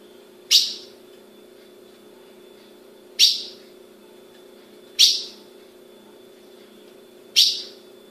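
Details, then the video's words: Captive Brazilian-bred female Ultramarine grosbeak calling: four abrupt, high chip notes spaced about two seconds apart against a low background hum. "Fêmea de azulão piando"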